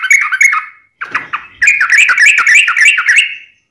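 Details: Yellow-vented bulbul in long ropelan song, recorded for training birds and luring wild bulbuls: bubbly whistles, a short break, then a dense, warbling run of rising notes ending in a trailing whistle.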